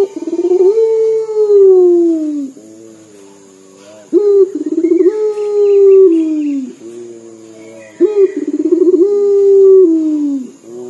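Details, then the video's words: Local puter dove calling repeatedly, its voice likened to weeping. Long mournful coos, each opened by a quick rolling stutter and gently falling at the end, follow one another roughly every four seconds with quieter low notes between. "PUTER LOKAL GACOR DOR SUARA SEPERTI MENANGIS"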